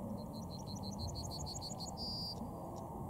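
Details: Yellowhammer (Emberiza citrinella) song: a quick series of about eleven short, high repeated notes, then a longer drawn-out final note, with a steady low rumble underneath.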